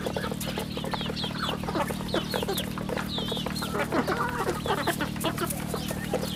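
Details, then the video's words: Many farm chicks on a rural home chicken farm giving thin, high descending peeps almost nonstop, with a loud constant low hum in the background. "Good chicks sounds in the farm"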